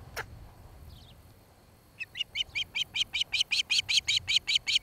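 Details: Osprey nest in Charlo, Montana, watched by camera on 26 July 2018 in the evening hour; near silence with a single sharp note, then a crisp, evenly spaced run of whistled chirps getting louder.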